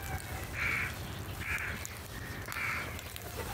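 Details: Crows drawn to food in the morning, giving three short, harsh caws roughly a second apart against a low background hum.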